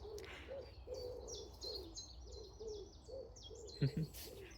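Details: In early spring at Saltwell Park, a common wood pigeon (Columba palumbus) gives low, soft, rhythmic coos, about two a second, under a singing chiffchaff's high, even chiff-chaff notes; a brief knock sounds near the end.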